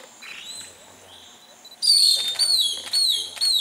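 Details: Long-tailed broadbill recorded at Kaeng Krachan in 2018; a faint thin note first, then a loud burst of piercing, high, descending whistles repeated three or four times at uneven intervals.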